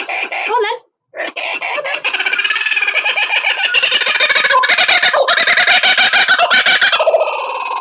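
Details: Kinta, a captive laughing kookaburra at a zoo education session, gives a loud, rolling cackle of rapid repeated hoots that builds and stays harsh, with a brief human voice at the start.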